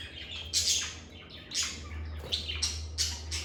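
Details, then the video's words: Lovebirds recorded calmly indoors giving loud, buzzy, high squawks, a slower pair first then a quicker series of four sharp chirps, over a steady low hum. "Lovebird Singing & Chirping Sounds"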